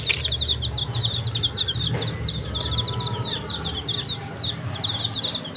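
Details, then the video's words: Numerous baby chicks around green leaves keep up a constant chorus of thin, high, sliding peeps, overlapping throughout, with a low hum underneath. "Baby Chicks Eat Green Leaf"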